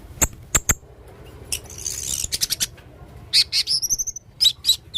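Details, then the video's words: Male blue-crowned hanging parrot giving many odd sounds: a few spaced sharp ticks, then a scratchy rush, and a fast run of high piercing squeaks and doubled whistles near the end. "burung serindit jantan gacor banyak suara aneh"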